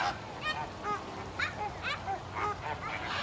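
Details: Group of zoo flamingos at Stone Zoo, Massachusetts, uttering goose-like nasal honks, roughly two or three per second, several birds overlapping in a steady clamour.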